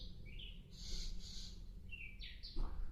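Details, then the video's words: Actively singing sikatan londo flycatcher: quick high chirps and buzzy notes that slur downward, over a low rumbling background. "burung sikatan Londo asik aktif"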